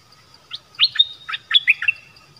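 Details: Wild bird, part of a family group arriving together, gives a short burst of quick chirpy notes that sweep between low and high, ending in a thin whistle over a faint steady background whine.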